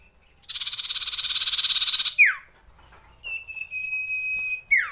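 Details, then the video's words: Common iora song, used to raise breeding urge: a fast buzzy rattling trill for about two seconds, then a clear sharp downslurred note, followed by a long, steady, high, drawn-out whistle that ends in a quick falling sweep. "CIPOH SIRTU CIPOW NGEROLL PANJANG COCOK MENAIKAN BIRAHI"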